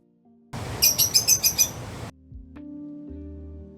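A lovebird gives a quick burst of about six shrill, high chirps over a rushing hiss, followed by a low steady musical drone.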